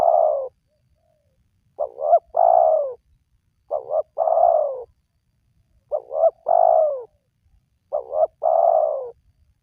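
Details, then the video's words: A spotted dove's lure call for drawing wild doves into song: a rapid double hoot leading into a long, slightly descending coo. Five phrases come about every two seconds, with no other clear sounds. "Pemancing Burung Tekukur Yang Malas Bunyi,Langsung Rajin Bunyi"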